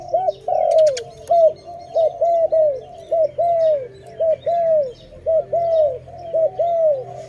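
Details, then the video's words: Loud dove calling from a bird-trapping scene: clear bowed coo notes, singly and in pairs, roughly one each second, with a brief higher tick near the start. "Dove lovely- Video lovely dove so loudly, Sound of good dove"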